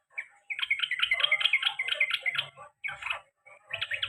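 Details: Sooty-headed bulbul, a male kept as a pet, in the long rolling 'ropel panjang' and 'garuda' song style: a dense run of quick chattering, warbling notes, then two short bursts after brief pauses. There is faint low rumbling underneath.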